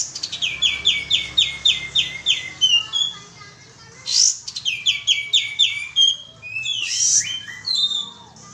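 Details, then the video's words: Sooty-headed bulbul (kapas tembak) lure call: quick series of high descending chirps repeated in bursts, broken by two brief loud rushing notes, with faint low background rumble. "suara pancingan burung kapas tembak"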